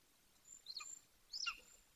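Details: Two piercing, falling yelps from a juvenile male Golden Eagle, 18 weeks old, calling close to the nest in Bucovina; quiet outdoor hiss between the notes.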